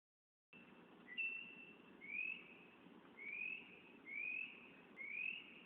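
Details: Xensontle, the northern mockingbird, singing: a series of clear, rising whistled phrases, each slurring upward, repeated about once a second over a steady low background hum.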